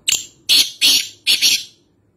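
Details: A black francolin, known locally as kaala teeter, recorded at Nawabshah, Pakistan, gives one strident phrase: a short sharp opening note followed by three longer, harsh, buzzy notes in rapid rhythm, ending abruptly.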